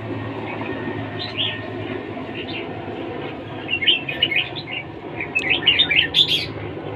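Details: Red-whiskered bulbul singing in competition. Short chirpy notes start softly, then build into louder clusters of lively warbled phrases toward the end, over a steady loud rumbling background noise.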